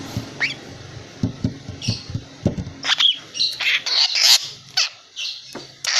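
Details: Captive young long-tailed shrike aged three months, calling on despite having its tail feathers pulled: soft clicks, then a run of harsh, rasping squawks in rapid uneven bursts, rising in loudness toward the end.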